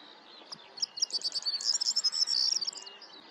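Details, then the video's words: Male corn bunting singing on territory: a dry, accelerating jangle of ticking notes that quickens and runs together into a fizzy, glassy rattle lasting about two seconds, high-pitched and jingling, over faint background hiss. "Corn Bunting male, singing on territory"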